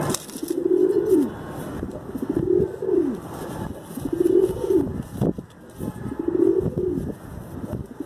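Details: Pigeon giving low, rounded coos that swell and fall, four phrases spaced roughly every one and a half to two seconds, over a faint background hum.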